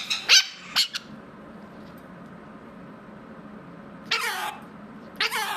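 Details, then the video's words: Pet mitred conure indoors, recovering from illness, letting out two quick shrill squawks, then a long pause before two more grating, descending harmonic calls near the end. "Mitred Conure Talking | Conure Sounds"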